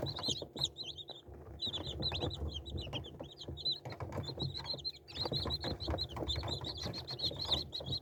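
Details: Chicken chick peeping: repeated high, wavering cheeps in quick clusters, a short gap near the middle, over a constant low rumbling background noise.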